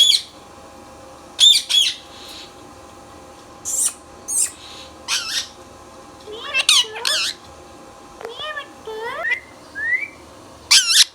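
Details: Indian ringneck parrot at home giving a mix of piercing squawks and stacked, rising voice-like notes in short phrases, plus a couple of brief upward whistles, spaced irregularly over about eleven seconds.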